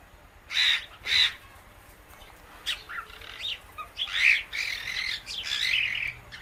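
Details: Captive Indian ringneck parakeet feeding on guava seeds with an alexandrine parrot companion; two loud rasping squawks, a pause with faint notes, then a drawn-out, buzzy chattering passage.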